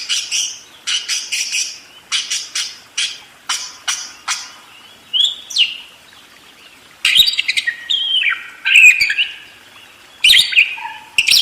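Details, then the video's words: Budgerigar singing a long, rolling warble: a series of short sharp chirps and clicks, then warbled phrases with sliding whistled notes and scratchy bursts, all high-pitched and fast. "SUARA BURUNG PARKIT ‼️ NGEROL DERES GACOR DOR"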